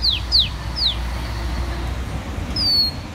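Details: Oriental magpie-robin, a bird known as a legendary warrior, giving three quick downslurred whistles followed by a longer falling whistle, against a steady low rumble.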